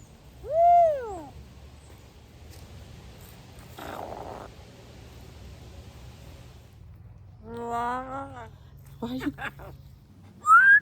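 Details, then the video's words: Pet African grey parrot giving assorted noises: a clear arched whistle, a rough buzzy rasp, a run of stacked rising-falling notes, clicks and a final upward whistle, with quiet pauses between. "African Grey Sound Effects and Funny Noises"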